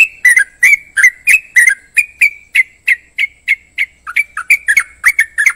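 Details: Yellow-vented Bulbul: a rapid series of bright, slightly buzzy whistled notes at roughly three per second, shifting into choppier, rising-and-falling phrases near the end.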